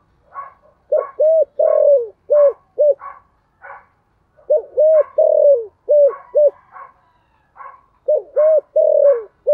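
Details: Calling spotted dove, 'giọng thổ' voice, kept as a lure: repeated low coo phrases with a long falling note, interleaved with a steady series of higher, harsher chirps from another bird.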